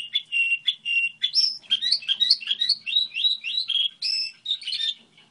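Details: Goldfinch hybrid singing a model song, a continuous lively stream of varied twittering and trilled notes with quick rising and falling phrases.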